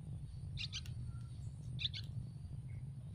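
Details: Yellow-vented bulbul chicks in a tree nest, hungry and begging for food, give two quick clusters of sharp, high double chirps about a second apart over low background hum.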